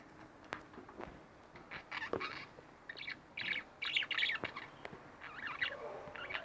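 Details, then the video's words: Pet budgerigars chirp indoors in scratchy, buzzy bursts of warbled notes, pausing between clusters, with a few sharp clicks and a louder run of chatter midway. "Budgie Birds Extravaganza-Relax With My Budgies 15 minutes"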